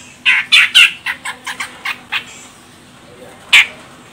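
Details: A female grey-cheeked bulbul, Medan type from Sumatra, calls to make a male sing. Three loud rasping notes lead into a fading run of shorter chattering notes, then, after a pause, one more harsh note.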